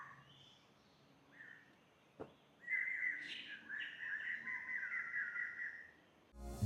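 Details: Birds on a warm, sunny day along the jungle Monk's Trail up to Doi Suthep, Chiang Mai, Thailand, sing a run of bright, warbled whistles rising and falling for about four seconds, after a few short chirps, with a sharp click and a closing rustle.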